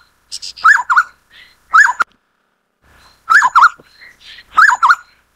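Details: Black-necklaced scimitar babbler, a Taiwan endemic of mid- and low-elevation scrub and grassland, giving loud mellow hooting phrases of two or three rolling, wavering notes repeated about every one and a half seconds, with soft fainter notes between.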